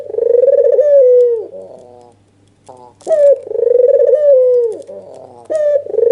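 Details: White dove with red eyes, an albino, giving an emotional nodding display call to lure other doves: purring rolled coos broken by short clipped rising notes and a brief quiet gap, steady hum underneath.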